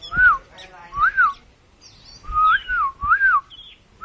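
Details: Oriental magpie-robin (kacer) puffed up like a balloon in mbagong mbesi song: long, smooth arched whistles rising and falling, some wavering in pairs, separated by quiet gaps, with a few thin high notes.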